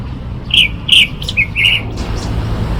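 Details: Eurasian jay filmed on 23 May 2025, giving four short, slightly rasping high calls in quick succession over about a second and a half, against a low background rumble.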